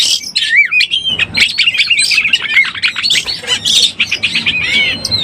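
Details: Oriental magpie-robin in breeding condition, a recording used as a lure to excite other birds: a fast, dense run of varied whistles, rising and falling slurs and scratchy chips, with no pauses and no other sounds.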